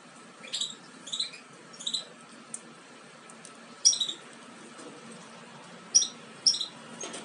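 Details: European goldfinch nestlings almost ready to leave the nest, offspring of a Major carrying aminet paired with a Parva Ancestral. Short, high, squeaky chirps come in small clusters every second or so over a steady low hum.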